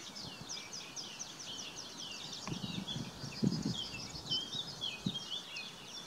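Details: Tree pipit at Budimír, Slovakia: a steady stream of thin, high chirps and short twittering notes runs throughout, with a few low thumps and soft rumbling noise underneath.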